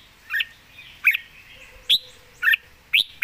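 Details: A Red-whiskered bulbul (Pycnonotus jocosus), described as a diligent singer, gives five bright, liquid chirped notes, each a quick upward or downward flick, about every half second, over a faint low hum.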